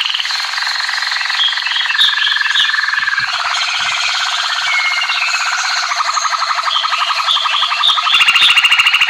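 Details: American singer canary singing a continuous run of rapid rolls, shifting from a high buzzy trill to a lower, very fast pulsed roll, ending in a sharper, louder high trill.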